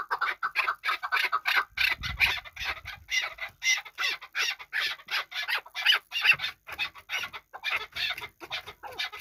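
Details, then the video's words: From Qabodiyon, a hunting chukar partridge calls in a rapid, harsher series of repeated chucking notes, brighter and higher than a plain cluck, with a brief low rumble early on. "Кабки Кабодиён шикори"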